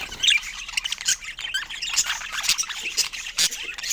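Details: Pet budgerigar chattering: dense, rapid high chirps and squeaky warbles with brief clicks, a busy continuous flow of twittering notes.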